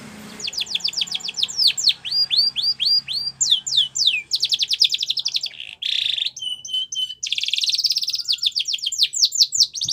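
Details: Spanish Timbrado canary singing, song used for training young canaries: fast series of high downward-sweeping notes, then buzzy rolls and steady trills, a continuous bright varied delivery.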